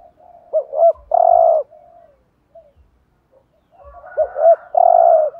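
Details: Decoy cooing of a spotted dove in the driving thúc gù style, used to provoke other doves. Two phrases, each with two short rising-falling notes and one long buzzy coo, about three and a half seconds apart, over a faint background murmur.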